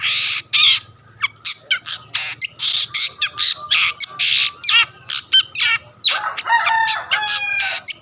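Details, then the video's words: Long-tailed shrike singing actively to provoke other shrikes into song: dense run of harsh, raspy squawks and short bursts, with a few clear, ringing harmonic notes near the end. No other sounds are clear. "burung cendet gacor pendongkrak emosi lawan"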